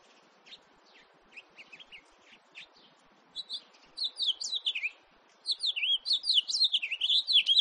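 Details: House finch singing: a few scattered short chirps over the first seconds, then increasingly loud, rapid warbled phrases of high, sweeping notes that rise and fall, building into a continuous twittering stretch near the end.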